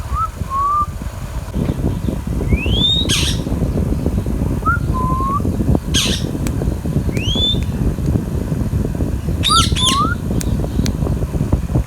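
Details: Baby Indian ringneck parakeet, a green parrot, calling: short clear rising and falling whistles mixed with harsh, broad screechy squawks, at irregular intervals over a steady low background rumble.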